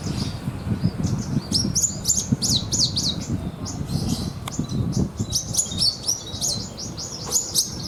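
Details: A contest-grade Javan bushlark, caged, with a lavish 'isian' mimicry repertoire, delivering bursts of crisp, high chattering notes and stuttered chips in two long phrases separated by a short pause, over low rumbling noise.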